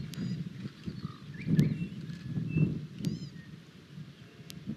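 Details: Von der Decken's hornbill visiting a camera tower at Mpala, giving low, hollow clucking pulses in rhythmic bursts a few per second, with faint higher whistles from other birds and sharp clicks in the background.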